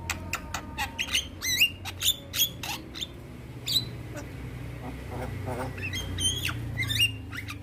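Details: Adult Javan myna in loud, energetic song while nodding: rapid clicking notes and scratchy squawks, with a twisting whistled phrase in the middle, over a constant low background hum.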